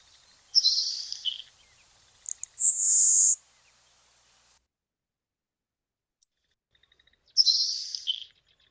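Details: LeConte's Sparrow song, a secretive marsh sparrow: faint ticks, then a very high, thin, grasshopper-like buzz that sizzles and fades, given twice within a few seconds; contrasted with the bacon-like sizzle of Nelson's Sparrow.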